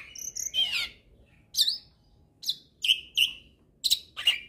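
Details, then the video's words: Hybrid starling (jalak hybrid) song serving as tutor material for magpie-robins and kacer birds: a whistled opening phrase, then short sharp chip-like notes repeated at roughly half-second intervals. "Masteran Jalak Hybrid Gacor Full Isian Untuk Masteran Burung Murai, Kacer"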